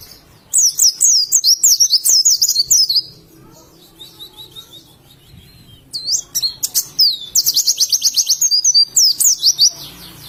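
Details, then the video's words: Oriental white-eye from Indonesia in "ngalas" song: bursts of fast, high, sweet twittering notes, a two-second run, a quiet gap with soft chips, then another lively warbled outburst. "Burung Pleci Ngalas"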